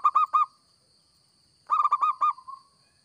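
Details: Local zebra dove in full, active song, used as a lure for trapping: two bursts of rapid, staccato, throaty cooing notes, the second trailing off in softer falling coos, over a steady high electronic whine.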